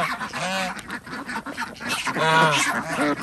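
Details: Farm ducks calling at feeding time on an organic duck farm in Andhra Pradesh, alongside chickens and geese; quick, nasal quacking notes come in rapid overlapping bursts, growing louder toward the end.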